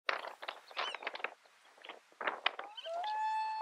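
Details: Common loon at Mývatn, Iceland, in June 2019: after several harsh, noisy bursts, a clear tonal note rises and then holds steady with strong harmonics for about a second at the end.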